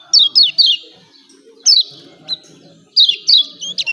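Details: Lombok yellow white-eye in full 'ciak ciak' calling: three rapid descending chirps, a pause, one more, then a closing cluster of bright falling notes, all high and thin.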